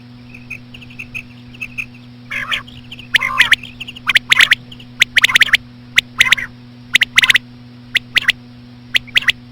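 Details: :Common quail with slow female quail calls used as a lure: sharp, clicky three-note phrases, one note then a quick pair, repeated about once a second, mixed with nasal buzzy calls, over a steady electrical hum.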